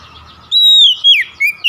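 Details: Kacer (Oriental magpie-robin) lure song: after a faint hum, one long, pure whistle slurs gently downward, followed by two shorter whistled notes.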